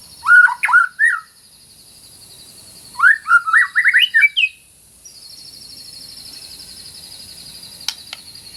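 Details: Lively white-rumped shama song used as masteran: two bursts of sharp, rapidly varied whistles and chirps separated by a pause, with a faint high buzzy trill behind in the second half.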